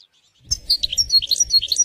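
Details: European goldfinch in nature with scenic surroundings, giving a brief burst of rapid, high, liquid twittering notes over a steady low rumbling background noise.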